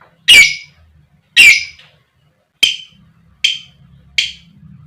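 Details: Female lovebird used to trigger males, uttering five harsh clipped chirps roughly one second apart, the first two loudest.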